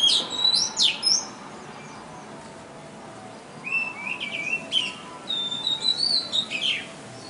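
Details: Small, very loud bird heard on a river safari on 23 January 2015, giving sharp high chirps and thin whistled notes in irregular bursts, with a quiet pause midway, over a steady hiss of background noise.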